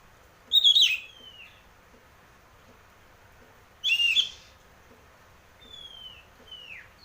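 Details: Ngeplong-style song of an Oriental magpie-robin (kacer), used to coax birds into singing: two loud rich phrases about three seconds apart, each ending in a falling slur, then two soft descending whistles.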